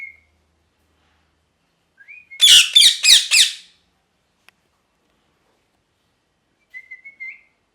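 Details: Parrot calling: a short whistle, then a burst of four harsh, broadband squawks in quick succession, followed after a pause by a wavering whistled note.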